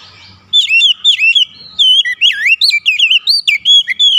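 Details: Oriental magpie-robin in full song: a continuous run of loud, clear whistles, twisting upward and downward in quick, varied phrases with short pauses between notes.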